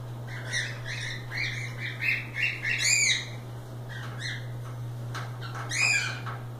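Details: Loose pet cockatiels playing indoors, giving a run of harmonic chirps and short squawks with rising whistled notes, over a steady low electrical hum.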